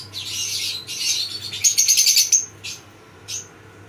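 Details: Several lovebirds in a farm breeding colony calling in harsh, high bursts, including a quick run of sharp chips around the middle, followed by a quieter gap and a single short squawk.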